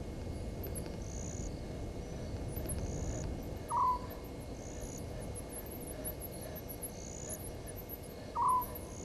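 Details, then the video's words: Night recording at 00:40 on 17 November 2019, Gowrie dam waterhole in Djuma Game Reserve, Sabi Sand Wildtuin, South Africa: a Southern white-faced owl gives two brief, low, downslurred hoots about five seconds apart, with rhythmic high insect chirping and faint background rumble. "Southern White-faced Owl"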